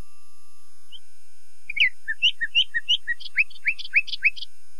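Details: Nightingale singing a varied phrase of sharp chirps and slurred notes, building into repeated loud, steeply falling whip-like notes given roughly every third of a second.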